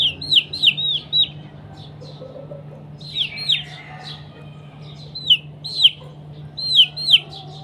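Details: Morning chicken fight: shrill, downslurred peeps in quick pairs and triplets, each dropping in pitch, grouped in bursts with short pauses between them, over a faint constant low hum.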